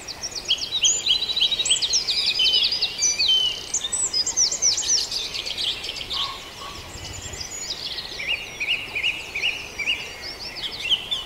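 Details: Many birds singing at dawn in Farndale, a dense, continuous mix of fast high chirps and trilled phrases that thins briefly midway before picking up again with repeated notes.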